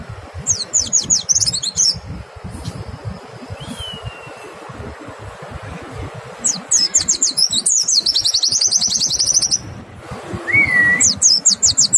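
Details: White-eye lure song, clear-toned, meant to trigger singing in other white-eyes; scattered bursts of quick high trills including a long buzzy run, separated by quieter stretches with a couple of lower single whistles.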